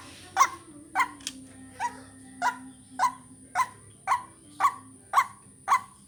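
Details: Ruak-ruak, or white-breasted waterhen, calling for bird luring: about eleven short, hoarse croaks, each roughly half a second apart, with a constant high-pitched tone and a low droning hum behind them.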